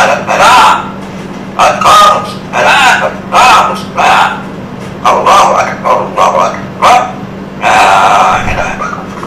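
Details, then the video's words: Captive black-capped lory, a protected parrot native to Indonesia, reciting the iqamah call to prayer in imitated human speech. Phrases come in hoarse, voice-like bursts separated by brief pauses, over a steady low hum. "Burung Nuri Melafalkan Iqomah Sholat"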